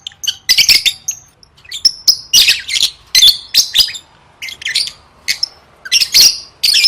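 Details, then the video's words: Lovebird singing in gacor fashion for gantang competition practice: rapid rasping twitters come in clustered bursts roughly every half second, shrill and buzzy, over a very quiet background. "Suara Burung Lovebird III Latihan Gacor Gantang Siap Juara"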